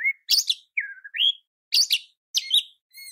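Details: Oriental magpie-robin singing in a training recording aimed at rousing other magpie-robins. Sparse harsh double bursts are separated by pauses, with a long, low slurred whistle that dips and rises between them.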